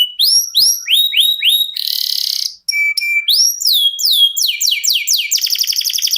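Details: Canary in long continuous song, a show-bird style valued for rich variations: repeated rising whistled notes, a buzzy rattling trill, steady piercing notes, then rapid descending chips and a fast buzzy trill.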